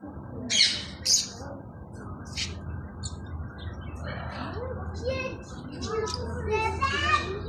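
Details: Macaws in Sharjah give harsh, raspy squawks in short bursts, a few in the first seconds, then scattered ones, while softer voices murmur underneath to the end.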